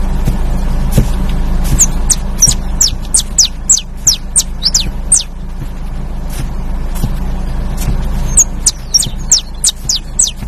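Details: Canary singing a long run of sharp, high chirps that slide downward. The notes come fast and unevenly, about three per second, over a steady low hum and rumble.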